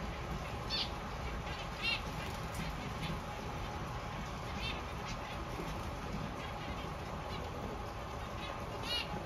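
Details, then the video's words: Newly hatched zebra finch chicks give thin, high, rapid begging calls in short bursts every second or two over a steady low hum. "Zebra Finch new babies"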